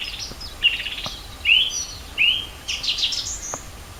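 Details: Spring birdsong at Rohozianske reservoir in Kharkiv region, 4 April 2010: a few short upward-slurred whistles spaced about a second apart, followed by a burst of brighter twittering.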